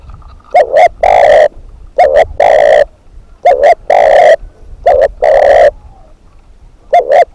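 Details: Spotted dove kept as a decoy bird, giving low cooing phrases of two short clipped notes followed by one long drawn-out coo, repeated four times at roughly two-second intervals, with quiet gaps between.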